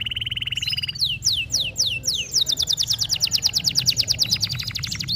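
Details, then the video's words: Dark local canary singing: a steady high whistled tone, then several looping downward sweeps leading into a long rapid rattling trill of repeated high notes; faint low hum behind. "kenari gacor lokal warna gelap"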